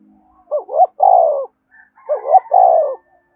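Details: Spotted dove call used to train trapping decoys: a pair of phrases, each a brief rising double note then a drawn-out falling coo, repeated after about one and a half seconds, with faint higher tones in between.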